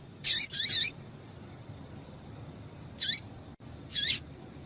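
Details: Female double-collared seedeater calling to stir a male into singing: a quick pair of sharp, high chip notes with a short downward slur, then two more single chips spaced about a second apart, over faint steady hiss.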